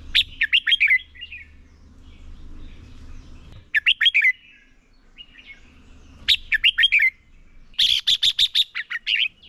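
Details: Red-whiskered bulbul decoy singing in a contest to train other birds: repeated phrases of descending whistled notes with quiet gaps, ending in a rapid burst of sharp chirps and warbles.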